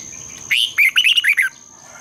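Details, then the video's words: Red-whiskered bulbul morning song, long double-twisted voice. One clear phrase of about seven bright, rolling whistles lasts around a second, set against a thin steady high tone. "Luyện chào mào hót sáng, Giọng kép xoắn dài"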